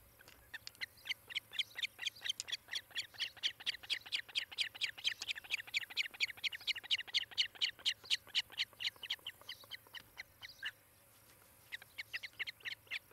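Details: Osprey at a nest on a webcam in Charlo, Montana, 18 July 2018, mid-morning: a long run of sharp, high chirps, about two per second, steady for ten seconds, a short pause, then resuming, over a faint low hum.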